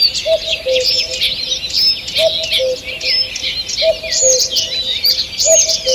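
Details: Dawn forest chorus recorded 2 June 2023: lively high twitters and whistled phrases overlap, and a lower paired hoot recurs four times at regular intervals.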